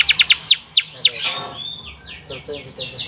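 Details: ['Canary song meant as a lure to set other canaries singing. A quick burst of bright, falling whistled notes is followed by a thin sustained tone and softer, scattered chirps.']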